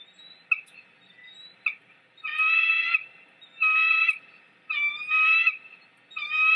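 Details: Female bald eagle on a nest at Big Bear, mantling over a fish the male delivered and calling to tell him to leave so she can feed the chick; loud, squealing, harmonic call bursts about every 1.2 seconds, after a few short, softer notes.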